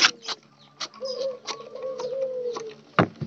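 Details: Spotted dove, one of a group of wild birds kept together under daily care, giving one low, smooth coo that rises a little then sags over nearly two seconds, with sharp clicks and knocks around it.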